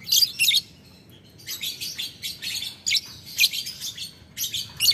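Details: Lovebird answering a rival with long ticking, cackling chatter, dense bursts of harsh, high, scratchy chirps running in close strings with brief gaps between them.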